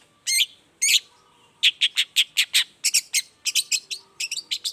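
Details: Long-tailed shrike's energetic morning song, played to draw replies from silent shrikes: two long harsh rasps, then quick clipped notes in tight groups, speeding into a stuttering high chatter toward the end.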